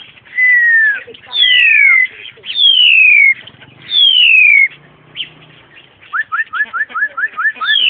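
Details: Caged black-collared starling met during a mountain hike, recorded 14 March 2010: long clear whistles sliding downward, repeated about every 1.3 seconds, then a fast series of short rising chirps.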